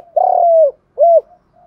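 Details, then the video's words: Spotted dove in decoy training, challenging and calling: a long, low, steady coo that sags at its end, followed by a shorter rounded coo, in clean, quiet surroundings. "Tiếng cu gáy tập bổi nhanh gáy và nhanh nổi nhất, tiếng thúc đấu và gáy gọi"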